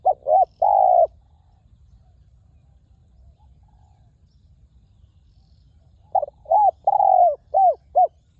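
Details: Wild spotted dove in a ground decoy setting, its voice described as fine and very resonant: two bursts of low, mellow cooing, short hooted notes and one drawn-out coo, separated by about five seconds of quiet.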